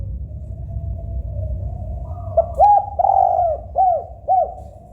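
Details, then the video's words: After a quiet stretch of low rumble, a local spotted dove delivers its song: a soft lead note, an arched coo, a long drawn coo and two quick arched coos near the end. "Suara Kesukaan Tekukur Agar Cepat Bunyi Bunyi Gacor Door"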